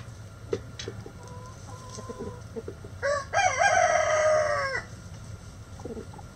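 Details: Soft scattered clucks and clicks lead into a loud, sustained rooster crow of nearly two seconds with a strained, even tone. A few faint clucks follow over a low hum.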